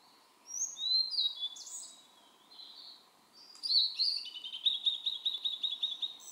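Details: Blue-and-white flycatcher singing on 23 June 2017 in a dim valley along the Aotani path, Mount Maya, Japan: sweet, high whistled notes sliding downward, then a quick run of about ten rattling notes, over faint steady hiss.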